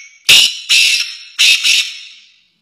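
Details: Partridge singing inside a car: loud, harsh, buzzy calls in four bursts, the first two and last two paired, each fading after a sharp start, with silence between.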